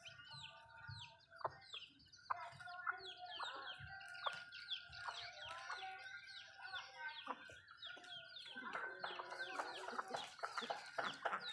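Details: Backyard Malay chickens eating food at home: a busy mix of thin downward-sliding peeps and soft clucks. It is steady at first, then grows denser and louder toward the end.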